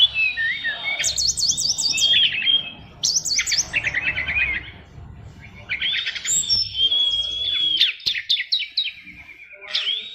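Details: Oriental magpie-robin singing 'isian luber' fighter song: bursts of rapid zigzag chirps over a sustained whistle, repeated in phrases every few seconds, separated by quieter gaps.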